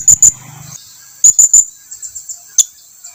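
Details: Blue-crowned hanging parrot calling its companions to come closer: very high, thin, sharp chirps in pairs and threes, with fainter high twitters between and a brief low hum near the start.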